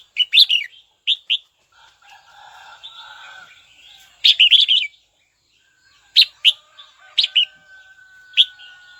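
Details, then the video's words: Red-whiskered bulbul calling to a rival bird: short groups of sharp, chirpy warbled notes separated by gaps, with a softer murmuring background and a steady thin whistle near the end. "Chào mào gọi bổi tố chất nhất"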